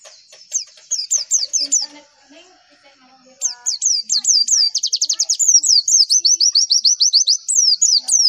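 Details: Javan white-eye song used as a lure to draw replies: a rapid run of high, sweet chirps and trills, tumbling and slurred, with a brief quieter pause midway.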